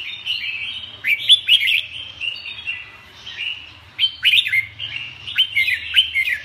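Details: Red-whiskered bulbul giving bright, chattering song phrases: clusters of sharp up-slurred whistles near the start and again after four seconds, linked by softer warbling, with a low background hum.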